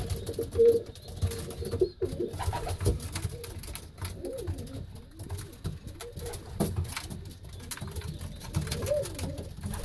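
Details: A domestic racing pigeon in a racing pigeon loft gives low, rolling coos in a small indoor space, with soft rustling and scattered thumps around the calls.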